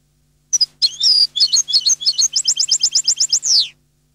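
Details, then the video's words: Goldfinch singing a lively phrase of high, tinkling twitters that settles into a rapid string of paired chirps and closes with a descending buzzy slur, against a quiet, steady low hum. "Canto del Jilguero"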